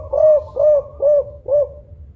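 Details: Four evenly spaced, mellow coos, each rising slightly and then falling, from a loud-voiced Songgo Ratu kuk 5 spotted dove of the local type, used to lure other doves; a faint low hum underneath.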